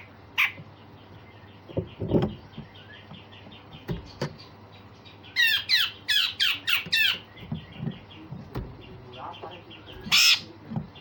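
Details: Grey-cheeked bulbul giving rough rasping phrases and sharp notes, used to train other songbirds: scattered harsh notes, then a fast burst of squawky, buzzy notes, with soft thuds and steady hum.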